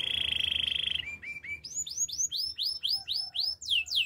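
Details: Canary gives a rapid high rolling trill, then a few short flat notes leading into a series of loud arched whistles repeated roughly three times a second, rising toward the end.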